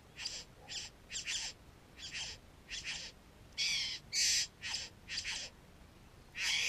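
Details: Satin bowerbird close to its bower, GoPro Hero 3 recording: a steady series of rasping, buzzy bursts about every half second, the later ones longer and louder.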